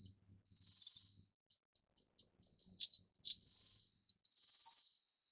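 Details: Rufous-faced warbler (Abroscopus albogularis) giving three very high, thin, buzzy trills, each lasting under a second with short pauses between; the background is otherwise quiet.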